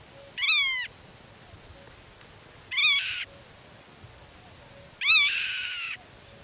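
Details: Nest-defending black-tailed godwit calling to chicks hidden in grass and warning off intruders: three short, nasal, slightly falling calls roughly every two seconds, rich in overtones, with faint background hiss between them.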